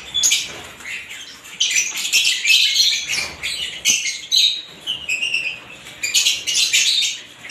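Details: Several kinds of lovebirds chirping together in a dense, high-pitched chorus of rapid squeaky chatter, with bursts rising and falling and brief pauses near the three- and six-second marks.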